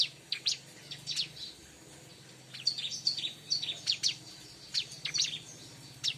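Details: Bar-winged prinia singing, played to lure others of its kind: bright high chirps and short squeaky notes, loose bursts at the start, then denser chirping from about 2.5 seconds on, with a low steady hum beneath.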